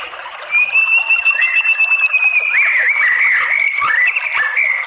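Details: White-rumped shama song used as a lure to provoke males into fighting song. One long steady whistle is followed by fast, varied slurred notes and chattering phrases.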